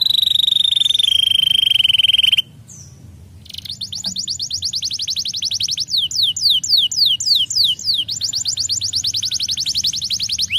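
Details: Canary song used to stimulate other canaries: a piercing steady whistled tone for two seconds, a brief pause, then a long fast rattling trill interrupted by a few sweeping downslurred notes.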